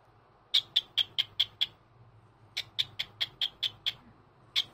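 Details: Pet senior cockatiel singing a Sunday morning greeting indoors: two long strings of bright, clipped high chirps, six to eight per string, spaced about a fifth of a second apart, with a low room hum beneath.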